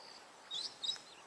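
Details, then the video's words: At sunset on safari, a Brown-headed Parrot gives two short, high, shrill screeches about a third of a second apart, over faint evening background hiss. "I can actually hear a brown-headed parrot there"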